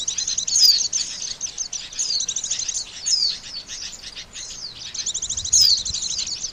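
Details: Lure calls of the Oriental white-eye for bird trapping: thin, high chirps and short descending whistles repeated in loose series, roughly every second, with continuous faint twittering.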